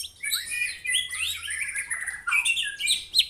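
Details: White-rumped shama (murai batu) singing a complete tutor song of fierce 'tembakan' bursts from a real bird: dense, rapid run of high chirps and slurred whistles, notes tumbling and sweeping upward and downward with barely a pause.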